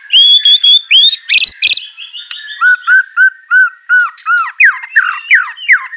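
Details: Clear whistled white-rumped shama song meant to spur a quiet captive bird to sing nonstop. Bright varied phrases give way to a string of about ten short arched notes repeated at a steady pace.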